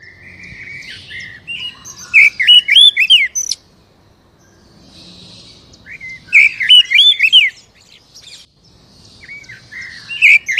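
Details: Captive-bird stimulation song of an Oriental magpie-robin: three loud phrases of rapid looping whistles and scratchy notes, each about a second and a half long, separated by quiet pauses.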